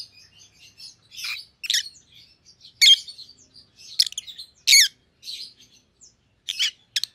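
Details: Two pet white-headed opaline rosy-faced lovebirds (Agapornis roseicollis), one pallid and one green, chatter with sharp, high, shrill chirps and harsh squeaky calls in irregular bursts about every second or two, with softer twittering between.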